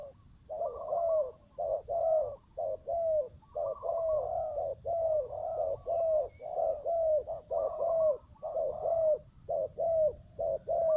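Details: Decoy spotted dove heard with a wild dove: dense, low, hollow cooing phrases repeated about once a second, each ending in a softly falling note, sustained throughout.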